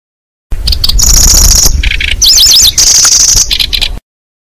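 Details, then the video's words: Cisticola lure recording used to attract and trap the birds: a buzzy, insect-like high trill, rapid zigzag whistled notes, and short rasping bursts, looped loudly with abrupt cuts between phrases. "Suara Pikat Burung Kecici Belalang"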